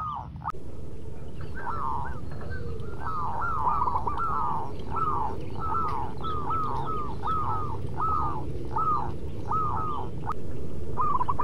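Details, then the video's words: Zebra dove of a local strain in full song: a rapid series of rolling, bent coo notes, with overlapping phrases that suggest more than one bird, over a steady low hum. "Perkutut MASTERAN BUNYI Manggung Terlama"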